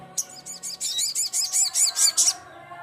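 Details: Crimson sunbird, known locally as Sogon, calling to a rival with a rapid, very high twittering trill of about a dozen clipped notes that quickens and then stops abruptly, over faint low background hum.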